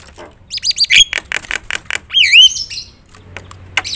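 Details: Energetic Javan myna song with many fill-ins, played to excite other mynas: wavering whistled warbles, chunky harsh bursts, then a looping rising-falling whistle and scattered clicks.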